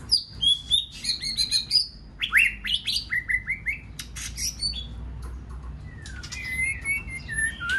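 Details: White-rumped shama singing a varied song to excite other shamas into singing; rapid rhythmic phrases of stepped whistles and clicks repeated about twice a second, then softer rising and falling whistles, over low hum.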